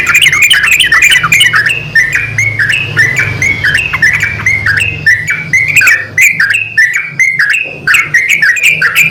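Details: Male and female yellow-vented bulbuls call to each other in a continuous chatter of bubbly, fluting notes, some harsh and squawky, rapidly alternating in pitch, over a murmuring low hum.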